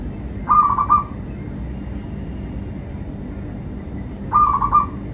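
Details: Zebra dove of a local strain, recorded as a lure to get doves singing and to trap wild birds: two brief bubbling coo phrases about four seconds apart, with a quiet low hum between them.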